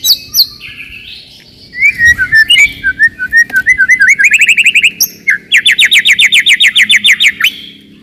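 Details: White-rumped shama singing to provoke rivals and toughen young birds: whistled slurred notes building into a fast rattling run, then a steady burst of rapid high rising chirps.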